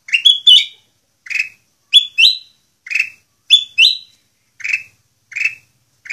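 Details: Kutilang emas bulbul delivering its full song for training other birds: paired, rising then falling whistled notes alternating with single lower chirps, evenly spaced about every 0.6 seconds.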